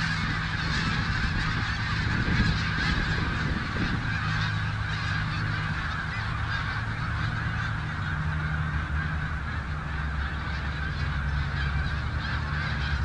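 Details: Snow geese on the Richelieu River, a dense continuous chorus of many overlapping honking calls from a large flock, under a strong low rumble of wind or water throughout.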